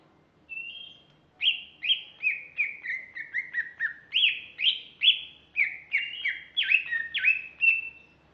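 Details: Female greater green leafbird singing a rapid, continuous sequence of sharp, upslurred and downslurred whistled notes, roughly two or three per second, with varying pitch and a clean quiet background.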